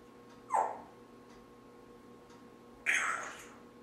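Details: Timneh parrot, a talking pet bird indoors, gives two short, harsh, raspy squawks about two seconds apart against a quiet room background.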